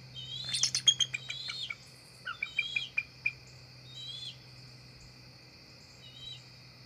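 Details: Adult bald eagles, a pair flying up to the NCTC nest at dusk on October 4, 2023; a loud chattering burst of high chirps, a second shorter series of piping notes, then a few faint whistles, with insects droning behind.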